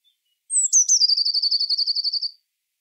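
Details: Song of a Eurasian blue tit: a thin, high descending whistle, two sharp accented notes, then a rapid, steady trill of about fifteen evenly spaced notes that gradually fades out. No other sounds are heard.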